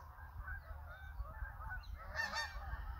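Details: Hundreds of Canada geese calling together as a flock, a dense, continuous chorus of overlapping honks with a louder burst of calls near the end over a low rumbling background.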